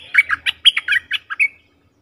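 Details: A bulbul, in a recording used as a lure call for aggressive wild birds, gives a quick chattering phrase of about eight bubbly, slurred notes in a second and a half, ending on a short level whistle.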